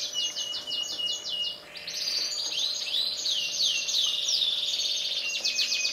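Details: Canary song, black-red against yellow: a crisp repeated trill of identical notes, a brief pause, then swooping rising-and-falling whistles over a sustained high rolling buzz.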